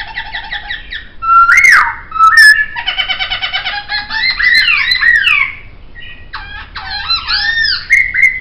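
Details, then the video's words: Laughingthrush (poksay) singing a mix of looped whistles, a steady harmonic chatter and sharp upslurred notes, the phrases changing every second or two. "Masteran Suara Poksay"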